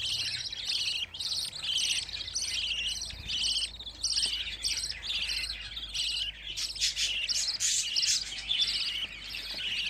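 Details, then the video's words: Fifteen young budgerigars in one place produce rhythmic, repeated bright chirps, each a short stacked trill, coming about once or twice a second over ten seconds within a continuous background chatter. "Muhabbet Kuşu Bebişleri Özel #7 Yavruların 15 'i Biryerde"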